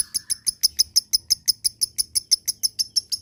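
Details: Lovebird voice meant to coax lazy-singing birds into a long 'ngekek'. Shrill, high chirps repeat evenly at about five per second across the whole short stretch, with faint low rumbling behind.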